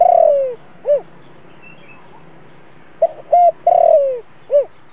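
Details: Decoy spotted dove, 'giọng thổ' voice, cooing to call wild doves toward a trap: a long falling coo and arched note, a quiet gap, then another phrase of short hoots, drawn descending coo and rounded end note.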